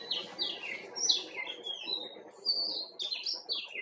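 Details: White-cheeked bulbul, also called Himalayan bulbul, giving lively bubbly whistled notes that slide downward in quick short phrases, several in a row, against a quiet background.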